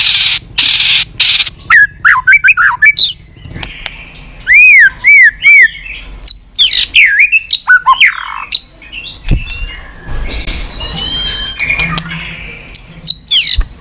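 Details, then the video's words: White-rumped shama giving continuous 'tạch' song, used to rouse listless shamas into singing and tail-flicking; loud varied whistles, arched slurred notes and sharp clicks in quick bursts, with short pauses and a harsh noisy stretch near the end. "Chòe lửa tạch liên tục"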